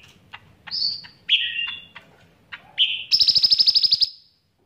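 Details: Bulbul taught cicilin songs, singing vigorously: scattered ticks and short whistled notes, then a fast even high trill of about a dozen pulses lasting a second.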